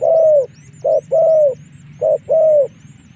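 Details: Lure call of a spotted dove for drawing wild doves into combat: a long falling coo followed by alternating short and long mellow coos, over a low drone and a rapid series of faint high chirps.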